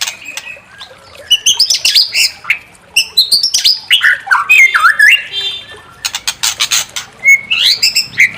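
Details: White-rumped shama song used to provoke another bird into singing its full repertoire: rich, varied whistled phrases sliding up and down, mixed with rapid harsh chattering bursts, delivered almost continuously.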